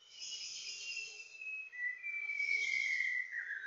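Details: White-browed shama, endemic to Greater Luzon in the Philippines: a rich high warble leading into a long steady whistle that drops lower at its end, then another warbled burst.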